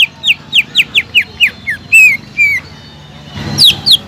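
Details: Lively caged greater green leafbird song aimed at rousing a quiet bird: a rapid series of about nine descending whistled notes, two drawn-out slurred whistles, then two sharp high calls.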